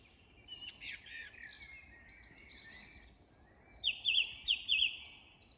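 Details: At dusk in an English woodland, a song thrush gives varied chirpy phrases, then a sharp high note repeated four times in a rapid, even series against a quiet background.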